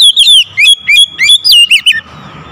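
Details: Loud calling of an Oriental magpie-robin, known locally as kacer: a rapid run of bright, slurred whistles and chirps that jump up and down in pitch, ending in a falling note before quiet.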